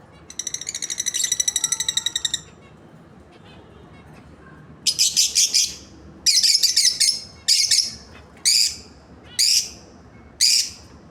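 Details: A pair of lovebirds: a rapid, buzzy, harmonic trill lasting about two seconds, then a pause and a run of harsh, screechy chirps repeated roughly once a second.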